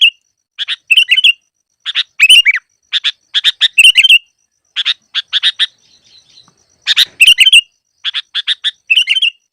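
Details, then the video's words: Sooty-headed bulbul singing as a trapping lure: clusters of sharp chirps ending in bubbly, slurred whistles, repeated in quick bursts with a short quieter pause midway. "Masteran burung KUTILANG cocok untuk pikat yang malas bunyi"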